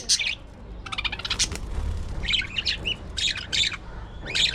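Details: Colony budgerigars in an aviary produce a busy run of raspy, scratchy squawks and chirps, bursts overlapping almost continuously, against faint low background noise.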